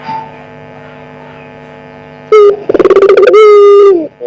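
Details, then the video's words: Lure call of a one-year-old pelung collared dove: after a quiet hum-filled pause, one loud coo bursts out, a clipped first note, a rattling stutter of rapid pulses, then a sustained low tone that drops off, with a short tag note at the end. "Misteri Suara Burung Puter"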